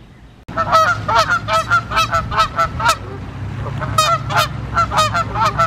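A Canada Goose gives a rapid series of loud, nasal two-note honks, about two or three a second, with a low rumble underneath.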